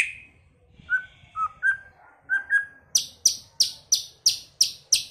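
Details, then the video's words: Early-season song of a White-rumped shama, known for singing in many voices: a few short mellow whistles, then a run of sharp, high, clicking notes repeated roughly three times a second. "chòe lửa hót,chòe lửa chuyền mùa đầu"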